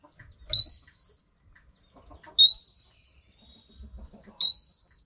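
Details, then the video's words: Three evenly spaced upslurred whistles from a female Oriental magpie-robin used for prompting males to sing, each lasting under a second with a sharp flick at the end, faint clicks between. "Choè than mái kích trống hay nhất"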